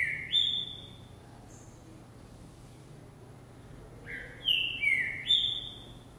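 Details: Green-winged saltator in a cage shows vigour on the hopping perch: a short whistled opening, a pause, then a loud phrase of three descending whistles, over a faint hum.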